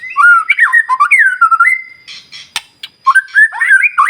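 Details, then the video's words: Energetic white-rumped shama song meant to rouse other shamas: sliding whistled phrases, a held flat whistle, a pause with scratchy notes and a sharp click, then more bright whistles. "murai batu gacor SIANG MALAM GACOR TERUS, Cocok Untuk Memancing Emosi Burung Murai NGELOWO"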